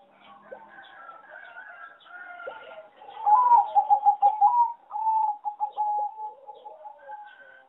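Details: Zebra dove bred on a farm for singing competitions, song rated weak in melody; after faint background chirps, one loud burst of quick pulsed coos runs into a trailing series of softer, evenly spaced notes.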